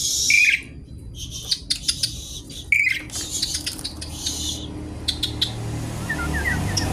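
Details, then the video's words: Javan pied starling singing a noisy gacor song with isian while seeking a rival: harsh broadband rasping bursts broken by two short high whistles, then scattered clicks and chatter. "Jalak suren gacor isian ribut mencari lawan"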